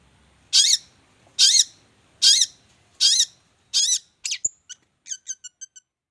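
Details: Champion contest songbird giving loud harsh rasping squawks about once a second, five in a row, followed by a sharp whistle and a rapid series of thin high chips.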